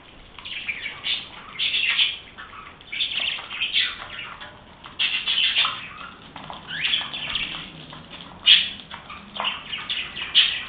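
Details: Budgerigars, described as happy, chirping busily: dense overlapping warbles and squawky chatter, many bursts in quick succession with brief louder peaks, suggesting several birds calling together.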